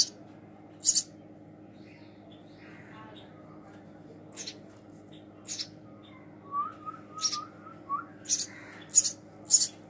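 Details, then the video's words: Baby house sparrow being fed by hand; its rough, high chirps grow more frequent toward the end, mixed with a soft human wavering whistle and faint talk. "Hand Feeding baby House Sparrow"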